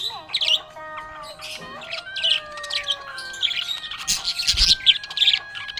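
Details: Cheerful budgerigar chattering in a busy stream of squeaky chirps, clicks and warbled notes, with long steady tones running beneath.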